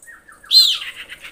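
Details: Female common iora calling males. A few soft, low whistled notes lead into a sudden, harsh, slightly falling high burst that breaks into rough fragments.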